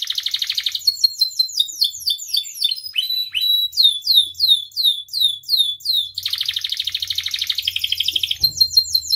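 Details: Energetic canary song with many phrase types, used as a lure and master for other canaries; a dense trill, a run of sweeping downslurred notes, then another long rolling trill.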